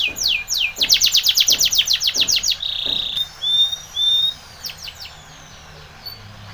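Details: Spanish Timbrado canary singing, used for training: fast runs of descending notes repeated in quick series, then a steady ringing trill and short rising whistles, fading toward the end.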